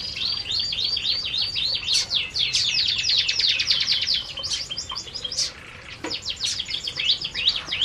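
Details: Flock of canaries at their food in an aviary chattering nonstop, rapid high chirps about four per second blending into a buzzing twittering wash, briefly thinning before resuming strongly.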